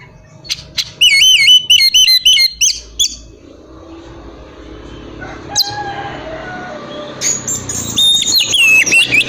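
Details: Kacer, the oriental magpie-robin, in whistled song meant to make other magpie-robins answer: a burst of looping, wavering whistled notes repeated several times, a long quiet stretch with faint sounds, then loud whistled phrases again at the end.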